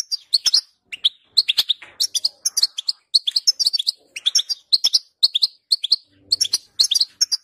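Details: European goldfinch in full song, played to coax a goldfinch into singing. Continuous quick, high chirps and liquid twitters follow one another with tiny gaps between them.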